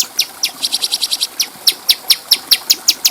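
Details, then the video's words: Bulbul, locally cucak cungko, recorded as a tutor track for training other birds: a quick run of sharp high ticking notes, some closely spaced and others about five per second. "Masteran Burung Cucak Cungko Suara Jernih"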